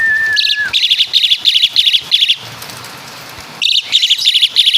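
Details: Asian pied starling from Java mimicking caladi and kapas tembak: one flat whistle, then grouped triple-note high chips repeated steadily, a brief pause, and the chip groups resume.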